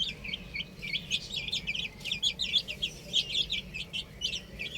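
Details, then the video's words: Young chicks at play on a roof, a busy chorus of short high cheeps repeated in quick flurries, steady low hum behind. "Adorable Chicks Chirping Sounds | Amazing Baby Hen Playing On Roof"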